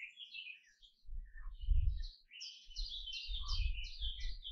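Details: Canary song of sharp twittering chirps and brief warbled phrases, rising into a continuous high chatter, accompanied by heavy low-pitched knocking noises.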